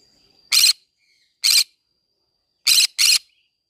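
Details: Green-cheeked conure singing amid a flower garden, four abrasive, raspy screeches: two evenly spaced, then a rapid pair, each burst brief and loud against near silence.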